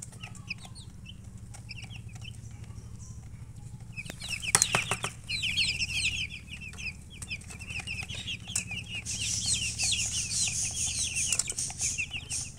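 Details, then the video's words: Newborn chicks chirping loudly: sparse peeps at first, then a dense chorus of rapid high calls from many chicks, with clattering knocks and hiss building in the second half. "Tot Murgi chicks chirping sounds Just Born Baby Gallina FRACAS Chicks Piar Loudly Sound"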